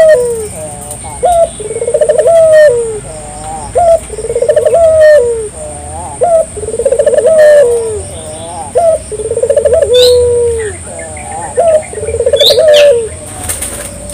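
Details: Local collared dove giving a lure coo meant to draw replies from other doves: low, rhythmic coos repeated about every two seconds, each ending in a sustained drawn-out note, with a constant high hiss and faint clicks behind.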